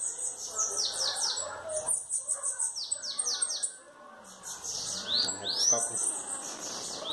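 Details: Three bananaquits singing face to face: high, thin, buzzy notes in quick downward sweeps and chattering runs, phrases overlapping between birds with brief pauses.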